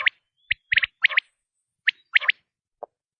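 A quail gives sharp, liquid clicking notes in quick triplets, the groups repeated about every second. No other sounds are heard.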